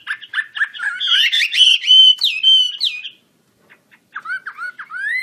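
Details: Wambi kembang Chinese hwamei, singing eagerly and opening its wings: choppy notes lead into a loud, clear whistled phrase. After a silence it resumes with rising, slurred notes.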